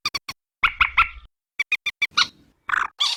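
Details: Common moorhen (Gallinula chloropus), call.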